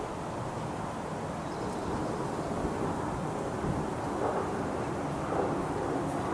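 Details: Continuous wind buffeting and passing road traffic fill a front garden by a road in Surrey, with no animal sound standing out.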